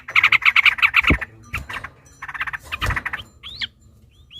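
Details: Sooty-headed bulbul in an agitated, combative long song used to provoke other bulbuls. A fast chattering series comes first, then a looser bubbly burst, ending in a few short rising whistled notes.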